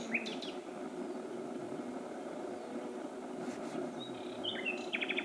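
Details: Common nightingale (Luscinia megarhynchos) singing at night, Pälkäne, Myttäälä, 6–7 June 2016, 23:24–00:29: a brief chirped phrase, a clear high whistle and fast rattling trill, over a steady low traffic-like hum.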